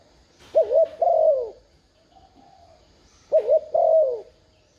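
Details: Spotted dove urging coos, played to stir a newly caught dove into calling: two phrases, each a quick double-noted coo followed by a longer, drawn-out coo that slides downward, with a quiet pause between.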